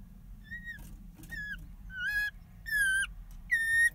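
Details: At a property in Southwest Texas, one of a pair of Audubon's orioles gives five sweet, level-to-slurred whistles, each brief and spaced under a second apart, against a low background rumble.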